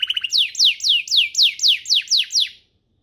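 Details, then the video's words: Canary tutor song for juvenile canaries: a few quick high clicks, then eight loud sweeping downslurred whistles repeated about every quarter second, ending abruptly in silence. "Suaranya MUDAH DITIRU, Efektif untuk Masteran Kenari Paud dan Pancingan kenari biar gacor"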